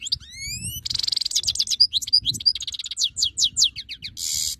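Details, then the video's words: Song of a European goldfinch, 2022: opens with clear rising whistled slurs, then a buzzy rattle and a fast stream of bright chattering, tinkling notes ending in a harsh wheeze, over soft low background rumble. "chant chardonneret 2022"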